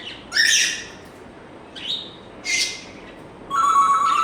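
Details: Whistles from an African grey parrot. A bright high note, a short rising whistle and a buzzy burst come in turn, then a steady electronic-sounding tone like a phone ringtone, held for almost a second.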